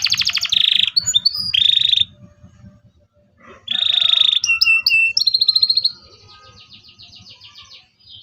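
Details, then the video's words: Song of a local canary played to teach young canaries to sing: bursts of harsh buzzy trills alternating with sharp high chirps, separated by short quiet pauses, ending in a softer fading rattle. "KENARI LOKAL GACOR CUIT CUIT EMOSI, PANCINGAN LENARI PAUD AJAR BUNYI"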